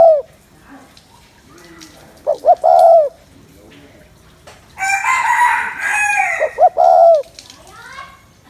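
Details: Spotted dove cooing to excite males and stir them up quickly. Two short bursts of low, mellow, rounded coo notes, with a loud harsh crowing-like call from another bird between them and faint bird chatter in the background.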